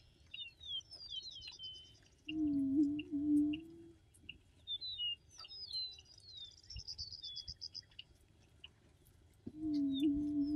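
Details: Attwater's prairie-chicken, an endangered bird of the Texas coastal prairie, booming: a low, hollow, wavering hoot lasting close to two seconds, heard twice about seven seconds apart, with high whistled and trilled songs of other birds throughout.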